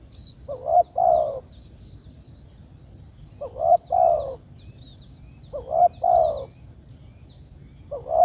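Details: Spotted dove calls out to its companions, four paired mellow coos about two and a half seconds apart, with faint high chirps of other birds in the background.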